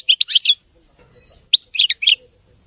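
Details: European goldfinch singing a clean, error-free song in two short bursts of scratchy, bubbling twitters separated by a pause of about one second.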